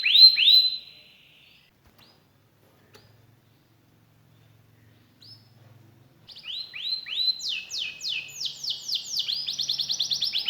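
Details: Canary in full song: a burst of rising whistled notes, then about five seconds of near silence before fast trills of descending sweeps resume and run to the end.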